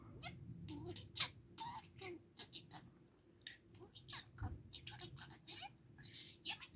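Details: Budgerigar kept as a pet, chatting in a rapid, crackly warble of clipped syllables and squeaks, delivered in bursts separated by brief gaps, with low indoor hum beneath.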